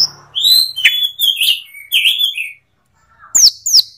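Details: Asian pied starling uttering slurred warbling whistles and squeaky notes for two seconds, a pause, then two sharp downward-sweeping high whistles.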